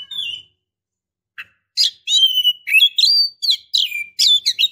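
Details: A female Oriental magpie-robin in breeding condition calling a male: one whistled note, a click, then a fast, varied stream of high whistles and chirps.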